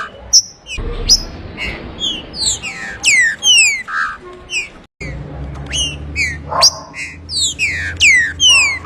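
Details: Green-winged saltator in 'abrir canto' song: loud, rapid falling whistles and buzzy notes in overlapping phrases, a short silent break near the middle, then the whistled run resumes over steady low hum.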